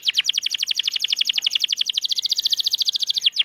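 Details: Canary song aimed at getting silent canaries singing: a fast, even trill of rapidly repeated sharp notes held for over three seconds against faint background hiss.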